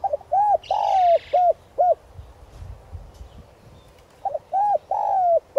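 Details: Decoy spotted dove in 'gáy gọi' luring style with 'giọng son' voice, calling to wild doves: two phrases of hollow arched coos and long drawn falling notes, split by a pause; a brief buzzy rasp overlaps the first phrase.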